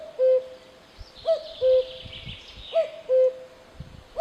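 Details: Cuckoo calling outdoors: a clear two-note cu-coo, the first note higher and short, the second lower and held, repeated about every one and a half seconds, with faint chirps of other birds high in the background.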